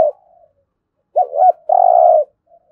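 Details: Spotted dove used in daily training of decoy birds, giving a low, soft cooing phrase: a brief hoarse double note followed by a longer steady droning coo, in otherwise quiet surroundings.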